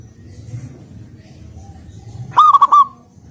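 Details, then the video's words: Local zebra dove, a bird in active song, gives one short rolling phrase of three quick connected coos near the end, after a long stretch of low background rumble. "Perkutut Lokal Gacor"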